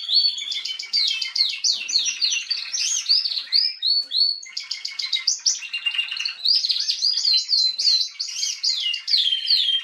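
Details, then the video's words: Female Atlantic canary recorded 21 January 2022, singing continuously: rapid high trills and twittering runs of fast repeated notes, with brief pauses between warbling phrases throughout. "Kanarengirlitz Canary girl with a very beautiful voice"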